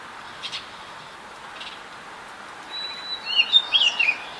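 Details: Adult and juvenile Baltimore orioles, with song: two soft chirps, then a quick run of high, sliding whistled notes near the end, over steady background hiss.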